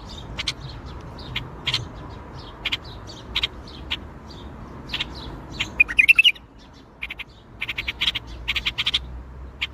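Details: Bulbul singing in the Baghdadi song style: sharp, clipped high notes repeated in irregular bursts, with a brief bright warbled phrase partway through, over a low background rumble.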